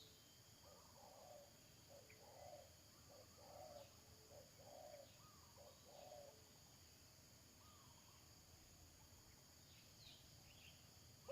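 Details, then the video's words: Spotted dove decoy at a trapping site. Muffled, low coos come in a rhythmic series roughly every second over hissing background noise, then fade into faint high chirps. "Pikat Tekukur"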